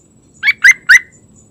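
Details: A yellow-vented bulbul calling in the morning gives three quick, bubbly, gurgling notes in just over half a second, with a faint background hiss behind them.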